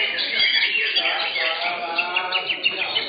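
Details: Green leafbirds, caged at an Indonesian bird singing contest, session 15, pour out a steady stream of bright chirps and short rising and falling whistles, several birds overlapping, with soft human chatter underneath.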